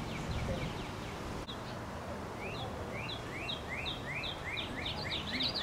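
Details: Common yellowthroat (Geothlypis trichas), song.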